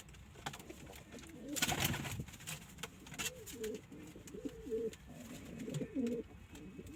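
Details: Domestic pigeons kept by a breeder: a clatter of knocks and rustling early on, then a run of low, throaty rolling coos, several phrases in quick succession through the second half.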